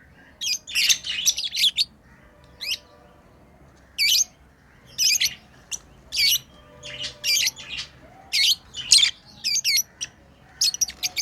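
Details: Tame lovebirds playing, giving loud piercing chirps and squawky bursts, irregularly repeated, some in quick clusters, over a low room hum.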